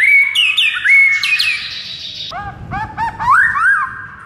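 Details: White-rumped shama singing a morning tutor recording meant to provoke a quiet bird: rapid whistled phrases with looping slurs, shifting midway to lower, bubbling notes.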